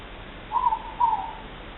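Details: Two moreporks (ruru), recorded 3 August 2014: a morepork gives its two-note hoot, a higher note then a slightly lower one about half a second apart, over a quiet background.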